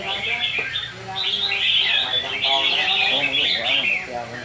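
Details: Red-whiskered bulbuls singing against each other at a Vietnamese singing competition: continuous bright, rapid whistled warbles from several birds, slightly buzzy, with a faint hum of people behind.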